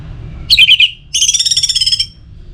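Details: Orange-headed thrush (anis merah) song to stimulate other birds: a few loud chattering notes, then a steady rapid rattle of about fifteen pulses lasting nearly a second.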